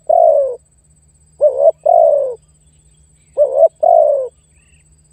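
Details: Spotted dove luring and challenging a rival bird: a brief quavering note joined to a drawn-out, downward-sliding coo, phrases about two seconds apart, over a low background hum.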